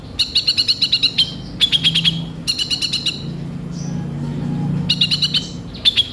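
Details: Sunbird in Indonesia singing coarse fill-in phrases: short bursts of quick, high ticking notes separated by pauses, with a faint low hum underneath.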